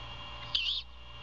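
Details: Early-morning great horned owl nest in Savannah, a former Bald Eagle nest, where a mother feeds her owlet on 21 February 2022; after quiet, one brief harsh rasping screech of about a quarter second, with a constant background hum.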